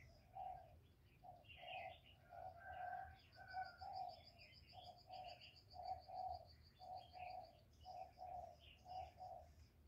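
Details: Female spotted dove calling to stimulate newly kept males: a faint, steady series of short, low, hollow coos repeated nearly twice a second, with thin high chirps from other small birds in the background.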